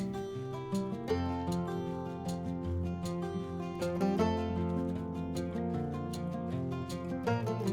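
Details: Acoustic guitar music with plucked and strummed strings and steady chords. No animal calls are heard.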